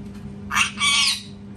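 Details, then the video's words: Parrot giving one loud two-part screech: a short raspy burst followed at once by a longer grating squawk, with a faint steady hum underneath. "PARROT SCREAMING TOO LOUD | PARROT SCREAMING SOUNDS"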